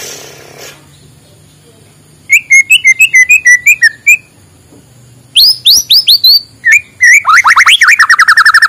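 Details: White-rumped shama morning song, played to prompt lazy birds into singing: after a quiet start come loud rhythmic whistled phrases, then high upward-sweeping notes and a rapid, ringing series of repeated bright whistles.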